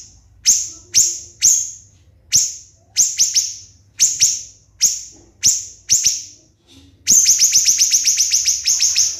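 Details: Siri-siri bird used as a training model for contest songbirds, shrill high downslurred notes spaced about half a second apart, some in quick pairs, ending in a tight rapid burst of repeated shots.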